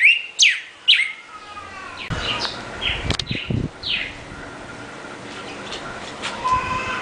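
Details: Northern cardinal (Cardinalis cardinalis) giving a few steep downslurred whistles at the start. Then fainter slurred notes follow under rumbling noise and clicks.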